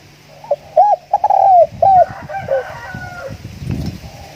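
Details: Spotted dove decoy song: a quick series of hooked, hollow coos including one longer slurred note. The coos fade into murmuring background noise and faint distant calls.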